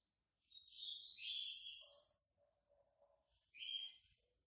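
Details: Yellow-bellied seedeater, Bahian white-breasted form just out of moult, giving a long, rich, jumbled twittering phrase, then a brief second burst after a pause, with a faint low murmur between.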